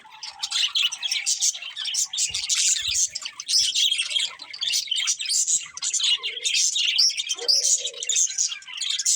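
Budgerigars chatter nonstop in a dense, high warble of quick chirps, squeaks and scratchy notes, with several birds overlapping throughout.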